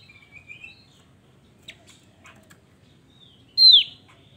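A Javan grey-throated white-eye gives faint high thin whistles and a few soft clicks, then one loud, sharp, downslurred whistle near the end.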